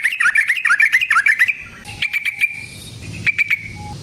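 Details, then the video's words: Rolling 'gacor ropel' song of a yellow-vented bulbul, intended as a lure for trapping and provoking other bulbuls: a quick burst of tumbling bubbly notes, then a few softer spaced chirps. "Suara Burung Trucukan GACOR ROPEL Panjang Ampuh Untuk PANCINGAN TRUCUK Bahan dan PIKAT TRUCUK"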